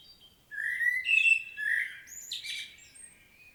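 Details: Powerful common blackbird song from Świnoujście, Poland, 25 September 2022: two rich, mellow warbled notes, then a scratchy, high squealing flourish that fades out.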